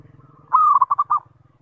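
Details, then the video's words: One short zebra dove lure call: a smooth low coo breaking into three or four stuttering, rounded notes, over a steady low ticking background, meant to prompt other zebra doves to call back. "SUARA PANGGILAN PERKUTUT - PANCINGAN SEMUA JENIS PERKUTUT"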